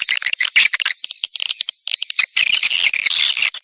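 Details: Swiftlet lure call for attracting swiftlets: fast high chirps and twitters with a clear thin whistle gliding slightly across the middle, ending in a brief pause.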